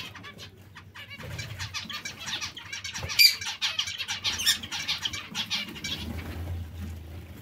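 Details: Dense chatter of zebra finch calls, quick nasal notes running almost continuously and peaking into a loud cluster partway through, with low rumbling underneath.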